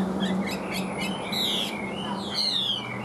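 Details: Tame caged Chinese hwamei singing: rapid varied whistled phrases with sweeping slurred notes high in pitch, some long descending whistles, over a steady low hum in the background.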